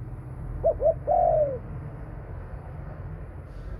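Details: Female Thai spotted dove with a 'thunder-voice' coo: two short soft notes followed by a longer, drawn-out coo that drifts lower, against steady low background rumble.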